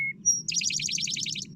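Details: An Eastern Towhee on the Elon University campus, North Carolina, sings its drink-your-tea song: a short middle note, a higher whistled note, then a fast bright trill of about a second, over faint low hum.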